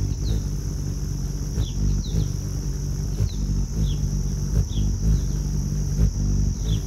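Ruby-throated Hummingbird wings give a low, steady, bee-like hum, with brief high chip notes about every half second and a faint background hiss.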